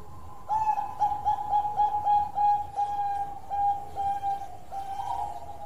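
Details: Long cooing song of a Bangkok zebra dove: a quick chain of short, staccato coos on one pitch, a little uneven in timing, closing with a slightly higher note.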